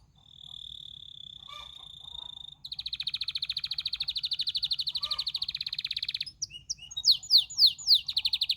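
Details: Canary song: a long steady whistled note, then a fast buzzy trill of rapid repeated notes, ending in loud descending swooping whistles.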